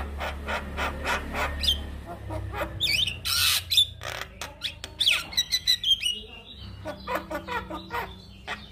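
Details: Male Javan myna singing as a model for other mynas to imitate; a jumble of rasping noisy notes, a loud harsh burst, then rapid squeaky whistles and chattering clicks, with a low hum beneath.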